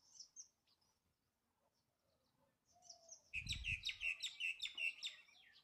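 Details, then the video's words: Bulbul song: faint high twittering notes at first, then a loud, fast run of sharp chirps, about two or three each second, ringing over a brief low rumble. "Bulbul bird song"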